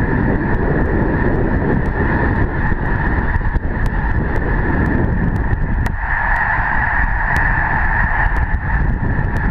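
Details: A large flock of snow geese (Anser caerulescens) on Lake Herman near Madison, South Dakota, during migration keeps up a dense, unbroken chorus of nasal, high honks over a low wind rumble.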